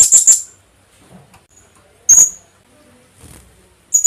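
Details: Philippine hanging parrot, locally called kulasisi, with a call used as a lure to attract birds: three brief, very high, thin shrill notes, a double note at the start and single notes about two seconds apart, with quiet gaps between.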